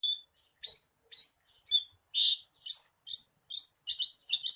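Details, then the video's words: Javan bushlark song used as a lure to get a kept bird singing quickly: short, high, chirpy bursts roughly twice a second, some with a clear whistled note, on a quiet background. "SUARA PANCINGAN BURUNG BRANJANGAN AGAR CEPAT GACOR"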